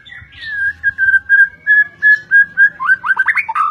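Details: White-rumped shama of the Medan fighter type singing a row of clear, evenly spaced whistled notes at a steady pitch, about four per second, ending in a quick burst of rising, sweeping notes.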